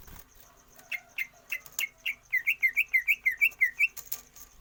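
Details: Caged greater green leafbird kept for stamina training without free-flight exercise, for longer breath: a few soft clicks and notes, then a fast run of about twelve bright, even, repeated chirps, roughly four per second, ending with sharp clicks.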